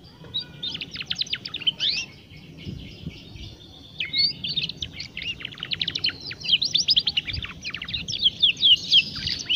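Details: Young canary still learning its song, meant to encourage other young canaries to start singing. Long, uneven stretches of fast, scratchy twittering and steep falling notes, with short pauses between bursts, over faint background noise.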